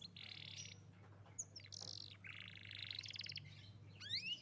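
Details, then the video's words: Young canary singing vigorously, used to prompt a canary that has stopped singing to start again: buzzy high trill, a bright upswept whistle, more rattling trills, then sharp rising notes at the end, over a steady low hum. "Kenari Muda Angkat Gacor|| Pancingan Untuk Kenari Macet Bunyi Agar Cepat Berkicau"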